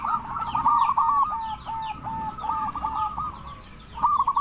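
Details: Zebra dove of a local Indonesian strain, calling to draw answers from other doves: a steady run of quick, clipped coo notes in a rippling series, with faint higher chirps from other birds and background noise behind.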